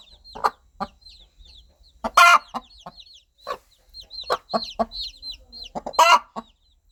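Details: Mother hen calling her baby chicks: soft rhythmic clucks in short bursts, a few louder harsh clucks, with chicks' high arched peeping cheeps throughout.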